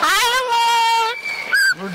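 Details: Double yellow-headed amazon named Hanuma at a temple in Frisco, Texas, 7 July 2013, talking in a rich, steady, voice-like tone, then a brief higher whistled note; a man speaks nearby. It says "Hanuma" and "Jaya Guru Datta" and laughs, perched on a visitor's shoulder before a crowd.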